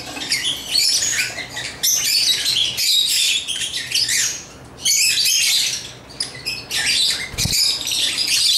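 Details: Chirping African lovebirds playing with toys: shrill, buzzy twitters in loud bursts separated by short lulls, with occasional harsh squawks and a low thud near the end.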